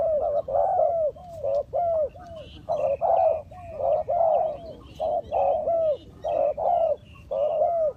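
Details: Decoy spotted dove calling wild doves during trapping: dense, overlapping low coos, each slightly arched, come in rapid uneven bursts, with faint high bird chirps in the background.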